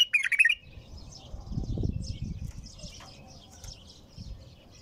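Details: Bulbul singing without pause, tur style: a bright, quick warbled phrase opens, then soft, scattered high twitters continue over a low background rumble.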